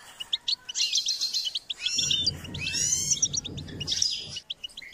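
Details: Goldfinch singing in a training session: continuous rapid twitter of sharp chirps and buzzy trills, phrases rising and falling, accompanied by low rumbling noise mid-clip.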